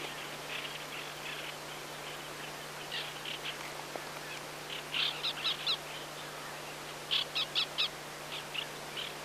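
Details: White-winged Black Tern on migration, recorded at Yonaguni, Japan, or in Mongolia, giving short harsh calls, some in quick runs of three or four, over steady wind-like background noise.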